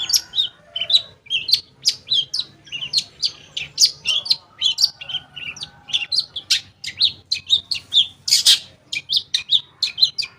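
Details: Long-tailed shrike, a lure recording to make silent shrikes sing: a long steady run of bright high chirps and whistled notes at a quick, even pace, with one harsh burst near the end.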